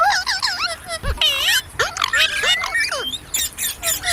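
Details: Squeaky, nasal chatter from a ringneck parrot, presented as talking and singing: looping up-and-down whistles, a long smoothly rising whistle midway, and scratchy buzzy bursts near the end.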